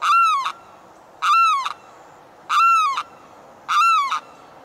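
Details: In the morning, a limpkin calling for its mate gives four loud, wailing, slightly arched cries about every second and a quarter, each harsh and richly harmonic, over a quiet background.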